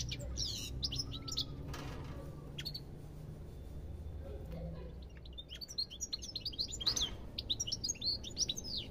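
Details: Goldfinch twittering in high rapid bursts at the start, then a quieter stretch with a few isolated notes and soft low sounds, before a bright jingling chirp sequence returns toward the end.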